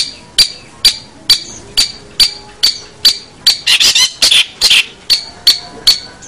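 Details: Long-tailed shrike song recorded as a master track for tutoring other songbirds: a series of sharp, harsh, clicking notes repeated about every half second, briefly quickening into a dense burst of scratchy notes near the middle.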